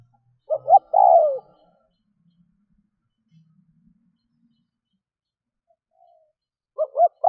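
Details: Spotted dove decoy call used to lure and excite wild doves quickly: a short series of low, hollow coos opening the recording, a long silence, then the same quick coo phrase returning at the end.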